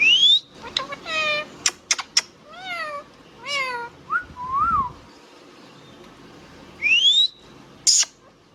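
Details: Indian ringneck parrot vocalizing with clipped word-like syllables, a few sliding downward notes, then a high rising whistle and a final sharp squeak, separated by brief pauses in a quiet room.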